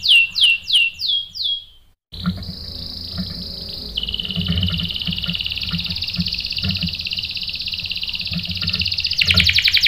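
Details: Lure canary song to provoke male singing. Five loud descending sweeps, a short gap, then a long buzzy rolling trill that holds steady before a sudden bright burst at the end.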